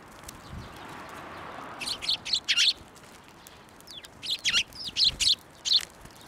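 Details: Sparrows at a Tenmangu shrine on 11 March 2024, flying onto a hand to be fed; after two quiet seconds, bursts of short, sharp, high chirps arrive in small clusters, about a dozen in all.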